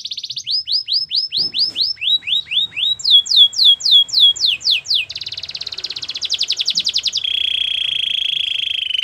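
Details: ['Singing Belgian canary moving through several tours: repeated descending whistled slurs at changing pitches, a quick series of higher swoops, then fast buzzy rolls and a steady lower trill.']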